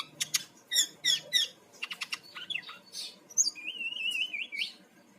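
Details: Bali brown-chested jungle flycatcher lure song: four sharp clicky bursts about half a second apart, quick stuttering notes, then a long wavering warbled whistle.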